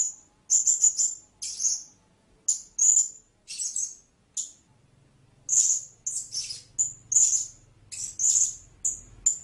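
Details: Shrill, high-pitched chips and short squeaky bursts from a blue-crowned hanging parrot, irregularly spaced with brief pauses; soft low hum in the second half.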